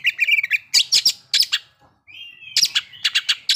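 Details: Kacer lure song to stir breeding condition and anger: a whistled trill, bursts of harsh broadband notes, a brief pause, then a thin sustained whistle and more sharp chips.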